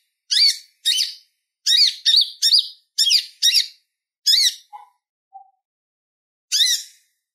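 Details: High, sharp chirps from a purple-throated sunbird in relaxed chattering song for tutoring other birds, delivered in an uneven series of quick notes, a couple of softer lower peeps, then a long pause before one final chirp.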